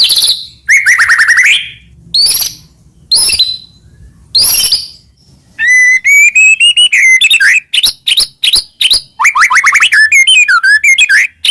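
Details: White-rumped shama in full 'gacor' song used as a master to provoke rival shamas: a few spaced bursts of rich whistles, then a dense, fast, varied stream of sweeping whistles, chips and warbled trills.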